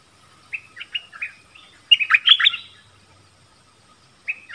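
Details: Nok dok taeng answering wild birds in a singing duel. Short clipped whistles are spaced out at first, then a dense, louder flurry of chirps follows, and a final brief note closes.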